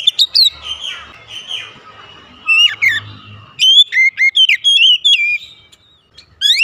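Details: Oriental magpie-robin, a kept songbird, starting with soft warbles and then breaking into a run of loud, sharp whistled notes that slide steeply in pitch.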